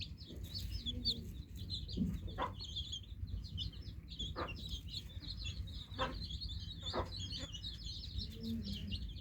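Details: High, rapid peeping of many newly hatched chicks heard over steady low rumbling noise, with a few soft knocks scattered throughout.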